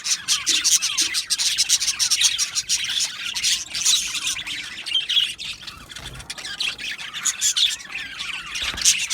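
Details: Colony of budgerigar parakeets in an aviary: many birds chirping and warbling at the same time, with rapid squawky notes rising above a constant high chatter.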